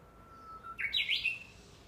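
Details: Song of a Japanese bush warbler recorded 12 July 2014 in the wooded imperial tomb grounds behind a house; a sustained pure whistle, slight rise, then a bright fast two-part warble.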